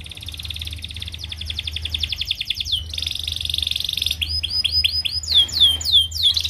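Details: Canary song of the paud type, played to train young canaries housed together so they begin singing fast. Steady rapid trills give way to repeated sliding whistles and sharp downward swoops, loud and clear.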